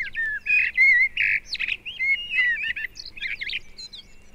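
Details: Common blackbird, a northern bird, in February woodland in Britain, 1971 recording: loud effortless fluting warble running into high chattering squeaks and thin twitters, clean and close with little background noise.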